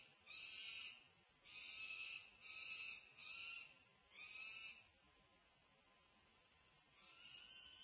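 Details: Pair of peregrine falcons on a balcony in Berkeley, California, 28 June 2024, meeting during a long visit; loud harsh rasping notes in a series of five roughly once a second, then a pause and a fainter call.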